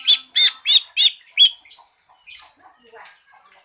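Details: Green leafbird singing pancingan, a lure song to set other birds singing: five loud, sharp, evenly spaced chirps about every third of a second, fading into faint scattered twitters.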